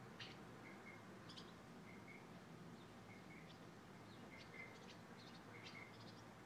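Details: Martins checking whether a spot under a house entryway suits nesting, late May 2012: brief, sharp chirping notes come in small clusters every second or so against constant broadband noise.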